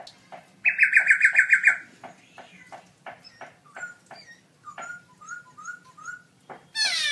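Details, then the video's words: Caged black-throated laughingthrush (Garrulax chinensis), a gold-award singer at an October 2016 birdsong contest, sings very loud: a burst of about eight rapid ringing notes, then softer slurred whistles, ending in a harsh buzzy rasp. "Birds Garrulax chinensis: Singer gold award-winning birdsong contest"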